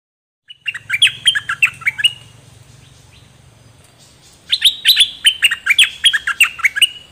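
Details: Song of the Dok Taeng bird, used to teach young birds and get birds excited: a run of sharp, falling chirped notes, a quiet pause with a low hum, then a louder, faster chirping phrase.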